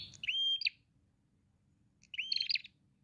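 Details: Prinias answering each other: two separated bursts, each a thin flat whistle followed by a buzzy, chattering phrase, about one and a half seconds apart, over a faint low hum.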